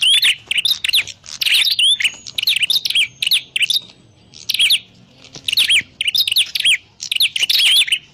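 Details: Prinia, named as a grey prinia, calling as a lure for trapping birds: dense bursts of sharp, high chirps and short down-slurred whistles in rapid clusters, with brief quiet gaps between bursts.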